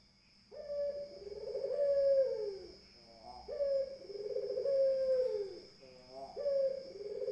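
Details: Barbary dove cooing: a short upward note followed by a long, rolling, trilled coo that fades downward, repeated about every three seconds over a steady high electrical whine.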